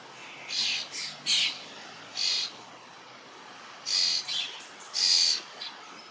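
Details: Young starlings waiting to be fed by a parent in a large berry bush give rough hissing rasps in irregular clusters, separated by short quiet gaps.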